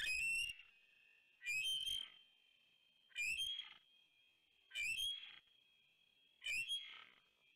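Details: Bald eagle pair at their Big Bear nest on 2 January 2019, both calling to warn off an intruding large bird flying past; five bursts of high, thin chattering whistles with sharp harmonics, each about half a second, spaced roughly every one and a half seconds.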